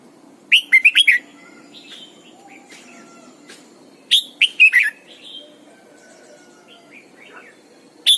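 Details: Caged red-whiskered bulbul, a decoy bird in morning song, with the double-note mature wild style, giving two bright whistled phrases of about five quick warbling notes, several seconds apart, with faint softer chirps between.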